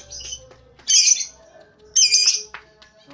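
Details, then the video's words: Lovebird giving a short ngekek: two loud harsh buzzy bursts about a second apart after a softer opening note, with quiet gaps between. "Love bird ngekek pendek"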